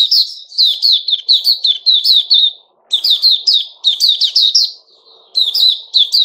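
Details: Sooty-headed bulbul, male, recorded 10 July 2021, delivering dense, bouncy sequences of sharp whistled chirps in repeated bursts, broken by two brief pauses.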